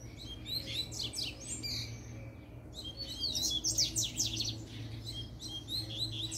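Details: Double-collared seedeater in a puxada song sequence, singing to challenge rivals to fight: two bursts of rapid, high, buzzy and sweeping notes, the second longer, over a steady low electrical hum.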